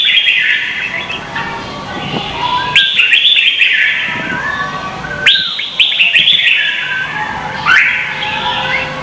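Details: Vietnamese red-whiskered bulbuls singing in competition, recorded as lure song to prompt captive birds. Clear whistled phrases open with sudden rising notes, then cascade downward, repeated roughly every two and a half seconds.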